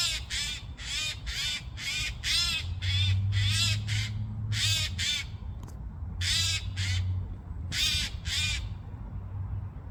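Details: A noisy Eurasian jay gives repeated grating, hoarse screeches in loose bursts of two to four over ten seconds, with short silent gaps between groups and a constant low-pitched hum underneath.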